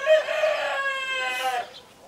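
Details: Black-blue mottled Leghorn chicken giving one loud, sustained, harmonic crow of about one and a half seconds, even in pitch and then cut off sharply, against a quiet background.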